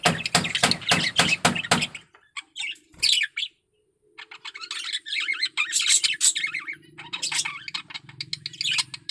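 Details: Male budgerigar in breeding condition. Loud rapid clicking fills the first two seconds. After a short pause, soft scratchy warbled chatter follows over a low steady hum.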